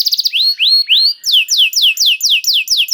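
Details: Canary bait song for stimulating other canaries: a few quick notes and rising slurs, then evenly spaced falling whistled swoops, about three per second.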